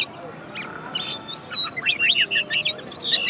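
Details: Oriental magpie-robin that took first place in a singing contest in West Kalimantan sings a long high whistle followed by a rapid, jumbled series of slurred, chirping notes.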